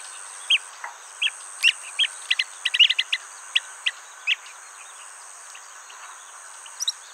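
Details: Blue-tailed bee-eater near its nest: a burst of short, sharp chirps clustered in the first half, some rolled, then a few scattered notes, over a constant high hiss.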